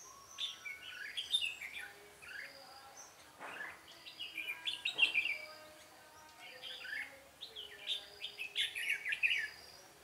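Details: Red-whiskered bulbul in a singing duel at a trap, Vietnam, 13 March 2017: three bursts of rapid jumbled whistles and chirps, rising and dropping, with thuds and clicks between.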